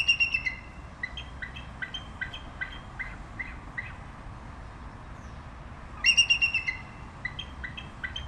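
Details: Bald eagle opening with a quick chattering burst, then a slow train of evenly spaced short piping notes, before another fast chattering run breaks out.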